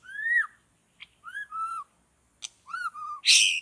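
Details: Clear, pure whistles from a white-rumped shama in a forest during trapping: a loud falling whistle, then paired level whistled notes separated by short silences, ending in a harsh noisy burst.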